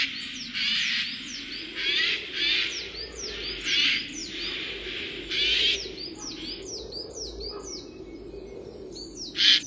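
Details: A Eurasian jay on the Aubrac plateau in France, in the daytime during the red deer rut, gives harsh, rasping screeches in short bursts, disturbed by a nearby boar or fox. Filmed in the early 2000s.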